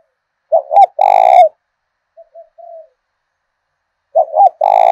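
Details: Thổ đồng-voiced decoy spotted dove from southern Vietnam calling to lure wild birds: a loud phrase of two quick hooting notes into a long rich coo, faint soft coos, then the same phrase again.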